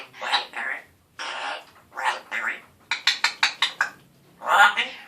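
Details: Pet African grey parrot turning one year old, indoors, with a still-scratchy voice, saying word-like phrases, then a quick run of about six sharp clicking syllables and a final drawn-out vocal phrase.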